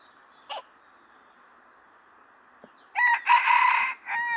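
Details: Crow of a decoy red junglefowl, a rooster taken out on its first outing to face wild junglefowl, which had just crowed nearby; a loud, harsh, drawn-out crow arrives near the end after a quiet stretch with faint scattered sounds.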